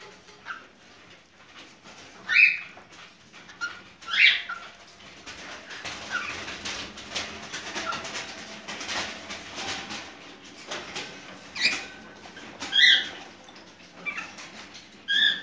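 A cockatiel gives short, bright whistled chirps at irregular intervals, a mating call of breeding condition.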